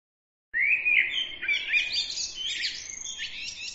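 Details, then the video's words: Bird song starting abruptly with a sliding whistled note, then a dense, fast, jumbled twitter of high chirps and trills that carries on without a break to the end. "bird عصفور"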